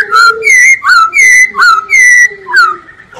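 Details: Masked laughingthrush giving loud, pure whistled phrases: level and gently falling notes, each followed by a short upslur, repeated in quick succession with a soft lower tone beneath.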